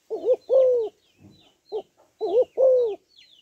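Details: Female spotted dove's stimulating call to males: two coo phrases, each a wavering double note followed by a long falling coo, separated by a soft short note, with light high chirping behind.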